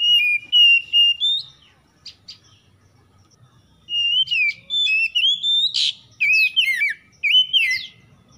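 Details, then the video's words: Oriental magpie-robin, morning-dew lure used to coax stressed kacer into song: steady whistled notes and a brief flourish, a quiet gap, then a long run of varied looping whistles, trills and sharp upslurs. "PANCINGAN KACER EMBUN PAGI"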